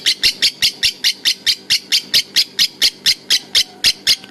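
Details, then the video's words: Lovebird giving a long ngekek chatter in the konslet style, a nonstop run of harsh, buzzy chirps repeated about every fifth of a second, with faint low knocking underneath. "Burung lovebird ngekek konslet"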